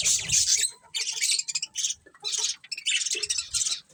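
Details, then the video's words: Colony budgerigars with a breeding pair give choppy bursts of shrill, scratchy chirping, separated by brief pauses. "Cute Budgies Chirping Sounds"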